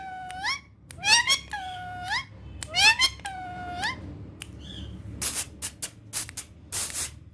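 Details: Pet female ringneck parrot, Urdu and Hindi speaking, giving drawn-out rising voice-like notes with rough harmonics, followed by loud noisy bursts.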